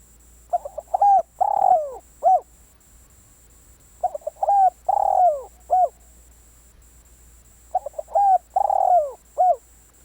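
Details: Decoy spotted dove repeating its cooing phrase three times, roughly every three and a half seconds: a pair of short hoots, a drawn-out falling coo and a short closing note, with a low steady hum beneath.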